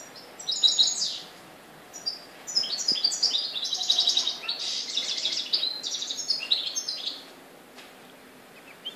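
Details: In Morocco on 4 December 2013, a European goldfinch delivers a sustained, bright twittering song of quick chirps and tinkling trills, fading to near silence in the last seconds.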